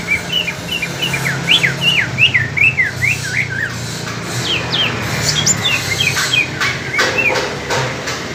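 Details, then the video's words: Singing duel between two greater green leafbirds, one from East Kalimantan and one speckled bird from Alas Purwo, Banyuwangi: rapid chains of sharp zigzag whistles, then scattered higher slurred notes, over a low hum. "Pertarungan Cucak Ijo Kaltim Vs Cucak Ijo Alas Purwo (trotol) Banyuwangi"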